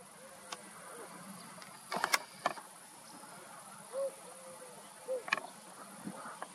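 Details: Streptopelia dove cooing at Walshofen, between Schrobenhausen and Aichach: soft, low, hollow coos a second or so apart over a steady high insect hiss, with a few sharp knocks and clatters.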